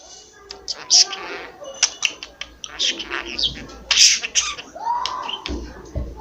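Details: Pet budgerigar, a talking male kept at home, chattering in mimicked words and coughing; rapid scratchy syllables and sharp clicks in irregular bursts, with a lower human-like voice near the end.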